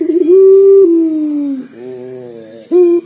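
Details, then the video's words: Local Indonesian puter dove calling loudly, its voice described as sounding like crying: a long, low, steady hooting coo that slowly falls in pitch, followed by a softer fading tail and the start of another coo. "PUTER LOKAL GACOR DOR SUARA SEPERTI MENANGIS"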